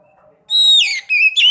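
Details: Swallow (sekoci) song played to prompt caged swallows to sing: after a faint low hum, a loud high whistled note slides down into rapid twittering warbles, then two short bursts.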